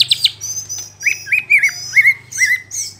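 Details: Murai batu song used to rile rival shamas: clear whistled notes with short wavering slurs, repeated about twice a second, with high thin chirps above and a steady low hum behind.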